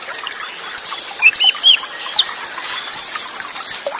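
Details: Olive-backed sunbird song in the Cililin burst style, heard against trickling water. Sparse, very high, thin whistled notes are followed by a few lower slurred whistles and a sharp downward sweep.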